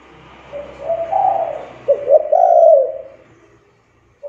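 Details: Lure cooing of a spotted dove, meant to get quiet young doves calling: gentle wavering coos that rise, dip and swell over three seconds, over a low background hum.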